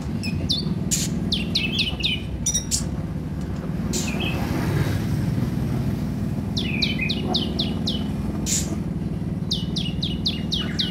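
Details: Purple-throated sunbird recording used to train newly bought caged birds; bursts of rapid, thin, high down-slurred chirps separated by pauses, over continuous low rumbling noise.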